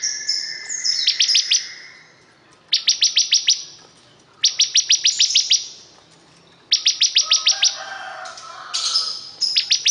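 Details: Energetic bar-winged prinia song: clipped, bright, high notes fired in fast strings of about six, the strings coming every couple of seconds.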